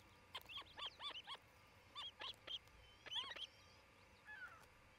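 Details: Osprey at a nest in Charlo, Montana, on 27 June 2018 around midday, where a pair was nesting: bursts of short, high, piercing whistled chirps, three or four in quick succession, repeated in clusters; a faint lower note trails at the end.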